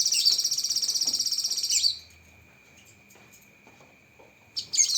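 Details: Cucak kinoi tutor song rich in 'tembakan' bursts: an intense high pulsed trill of nearly two seconds, a long quiet stretch with a steady hum, then a new burst beginning.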